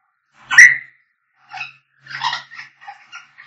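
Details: African grey parrots whistling and singing: a loud piercing whistle opens, followed by short buzzy squawks and chattering notes in quick sequence.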